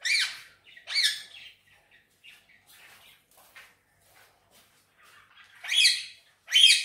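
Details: Indian ringneck parakeet, green pet parrot, giving paired harsh squawks at the start and end, separated by several seconds of soft murmuring chatter.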